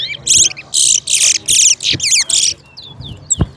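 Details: Towa towa, or chestnut-bellied seed finch, in a West Coast versus West Bank singing competition; six quick bursts of bright, high, buzzy and twittering notes packed into two and a half seconds, then a sharp click and faint voices.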